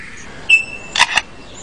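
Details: Male Superb Lyrebird mimicking a camera to outsing rivals and attract females: a brief high whistle, then two sharp, dry shutter clicks about a fifth of a second apart.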